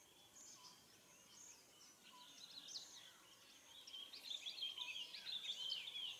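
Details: Vinous-breasted myna (Acridotheres leucocephalus) at about 05:37 on 26 April 2019, at a dry seasonal waterhole after a long dry season, Srepok Wildlife Sanctuary, Mondulkiri, Cambodia. Fast, high chattering and whistled notes grow louder and busier toward the end, over a steady background hiss.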